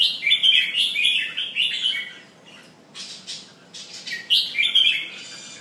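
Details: Pumping, singing red-whiskered bulbul in a cage, delivering a lively stream of chattering, slurred whistles for two seconds, a quieter gap with soft notes, then another bright run of rapid warbled phrases.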